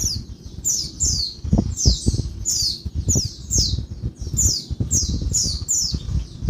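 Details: Female Oriental white-eye calls in daytime to rouse males: high, falling chirps repeating in quick groups, accompanied by frequent low thumping and rustling noises.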